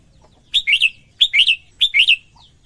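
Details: Female red-whiskered bulbul, singing to stimulate males, gives three loud, rapid phrases in quick succession, each a bright two- or three-part warbling whistle swooping up and down, about every 0.6 seconds.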